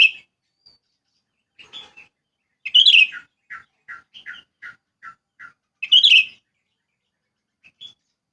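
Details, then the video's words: Sooty-headed bulbul singing in wild rural countryside. Bright, loud burst phrases open and close a run of about ten short, clipped mid-pitched notes, given evenly in a quick series, with a few faint chirps at the edges. "Suara Alam Pedesaan Cucak Kutilang"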